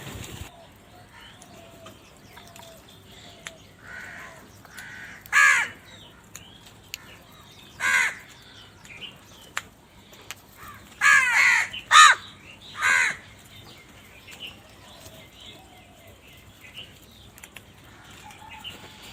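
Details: A very large flock of crows feeding on white cheese gives harsh, rasping caws in short irregular bursts, some doubled, separated by quieter pauses.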